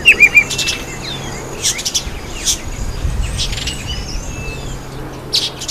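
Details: A red-faced mousebird visiting a birdbath opens with three rapid, bright chirped notes. Scattered soft twitters, noisy bursts and a faint low hum follow.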